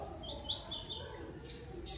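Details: One of two newly acquired caged double-collared seedeaters, just brought home, sings a quick run of high, sweet chirping notes, with a man talking over it and brief noise bursts.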